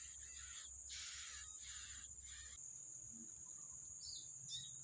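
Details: Wild yellow-bellied prinia at the nest feeding young, with a run of rasping, noisy bursts in the first half that then stop, leaving a steady high whine and a few faint chirps.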